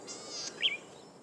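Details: Golden-headed Cisticola at Hinterland Regional Park, Gold Coast, Australia: a thin, high, buzzy wheeze, then a single bright, liquid 'plick' note like a kiss, over faint background hiss.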